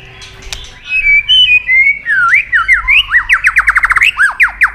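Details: White-rumped shama training song, long and many-voiced. A near-silent start leads into smooth wavering whistles, then an accelerating run of short, sharply rising whistled notes.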